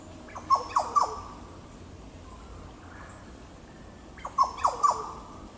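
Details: Yellow Oriole recorded 9 September 2022 in Goomboora Park, Cairns, Queensland, Australia, giving two bursts of three rich, mellow, falling whistles about four seconds apart, with quiet pauses between.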